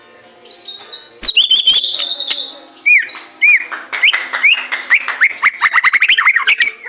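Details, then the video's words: Murai batu (white-rumped shama) singing, used to prompt other shamas to sing, for morning and evening: loud long whistles, then rapid sharp notes and fast repeated rising whistled phrases. "Pancingan murai batu untuk pagi dan sore hari"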